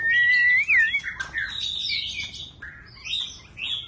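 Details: White-rumped shama opening with a loud pure whistle that wavers upward, then softer, mixed warbling phrases and fluty notes, its voice changing from phrase to phrase.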